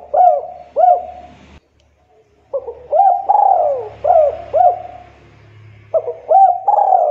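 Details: Spotted dove cooing energetically, meant as a lure to make untrained and young doves sing: paired hooked coos, a brief silence, then a full phrase of short rising-falling notes and a long drawn descending coo, low rumble beneath.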